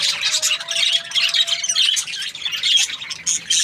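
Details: Happy budgies chirping: bursts of squeaky warbling chatter about once a second, over a faint steady low tone during the first two seconds.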